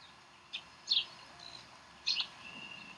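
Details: Two sharp, high chittering squeals a second apart from bald eagles at the Decorah nest on 04-11-2012 while the chicks are fed. A faint thin whine lingers over soft background hiss.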